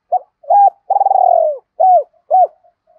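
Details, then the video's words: Spotted dove calling, used as a lure to draw wild doves into calling: short hooting coos around a deep, purring, slightly falling trill, then two more rounded coos, clean and without other sounds. "Tiếng chim cu gáy kích bổi hiệu quả mỗi ngày mở là gáy"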